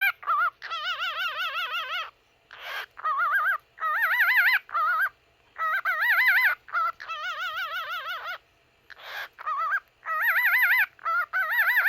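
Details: Cockatiel named Lily, a singing pet, sings a string of wavering, warbled whistles in short bursts with brief pauses.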